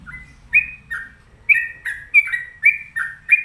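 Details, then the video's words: Whistled gacor song of a sooty-headed bulbul: bubbly two-part slurred notes repeated roughly every half second, loud and clear above a soft low rumble. "Pokoknya Cari Trucuk yang Gacor"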